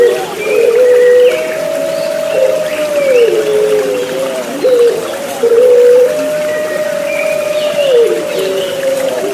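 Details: Puter Pelung turtle doves cooing against gurgling water, a mix aimed at restoring singing in caged birds; long low sustained notes, each ending in a downward slur, repeating roughly every few seconds.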